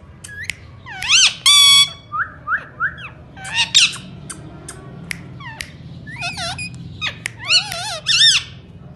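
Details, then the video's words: Indian ringneck parakeet talking, loud and shrill: bursts of harsh squawks mixed with warbling, bending word-like notes and sharp clicks, in short phrases over about nine seconds. "Parrot talking beautiful"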